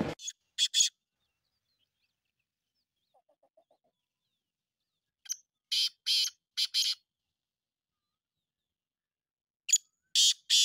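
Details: Black francolin (kala teetar) calling: three harsh, grating phrases about four seconds apart. Each begins with a short sharp note, followed by several loud rasping bursts. A faint brief murmur is heard between phrases, with otherwise silent background.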